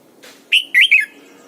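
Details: Training decoy Red-whiskered bulbul in its morning double-note wild-style song; a faint chirp first, then a crisp phrase of three loud, slurred whistled notes falling at the end.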